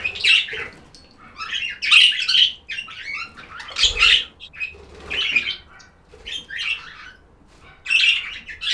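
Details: Chattering budgies give repeated bursts of raspy, warbling chirps about every second or two, each burst a dense tangle of squeaky notes, with soft quieter twitters between.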